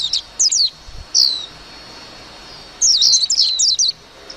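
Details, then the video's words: High, sharp chirps from a warbling white-eye: a few separated downslurred notes, a pause of over a second, then a quick run of tumbling twittered notes. "tiếng chim vành khuyên hót líu lo"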